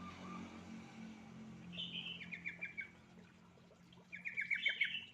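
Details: Sooty-headed bulbul lure song, played to coax reluctant silent birds into singing: two bursts of short, bright chirpy phrases, quick notes tumbling downward, separated by a quiet gap, over a low steady background hum.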